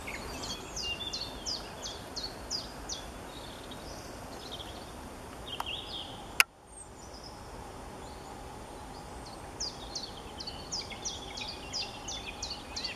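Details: Distant song thrush singing high in treetops in Bavaria, Germany, in March: bright, high, repeated short phrases in quick bursts over steady rushing background noise, with one sharp click midway; a chiffchaff overlaps at times.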